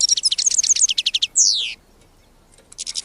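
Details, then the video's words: Wild European goldfinch in song: a quick series of tinkling twitters and clipped notes, then a long descending buzzy slur, a pause of near silence, and a final burst of twittering. "غناء الحسون البري"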